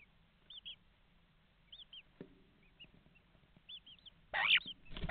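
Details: Common starlings heard inside an Estonian nest box via webcam on a May morning in 2019: faint high chirps repeating, a dull knock, then a loud harsh rasping burst near the end.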